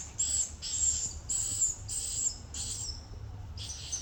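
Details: Swiftlet giving a run of high, hissing, buzzy chirps in short bursts, repeated at an uneven pace with brief pauses, over faint low background noise.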